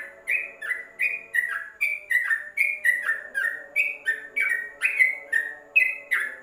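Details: Yellow-vented bulbul (trucuk) song used as tutor material for caged birds kept in a covered cage: short liquid whistled notes, each dropping slightly in pitch, about 16 in quick succession, over a faint steady low hum.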